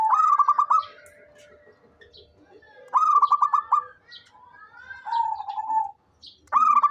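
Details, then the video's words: Active local zebra dove giving three bubbling, stuttered coo phrases roughly three seconds apart, plus a smoother drawn-out coo, over light chirping from other birds. "SUARA perkutut LOKAL gacor cocok buat pancingan rajin bunyi"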